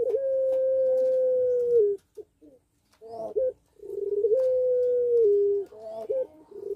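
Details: Puter pelung dove cooing while in breeding condition. Two long steady hoots, each nearly two seconds, end with a downward step and are separated by a quiet gap containing soft broken notes.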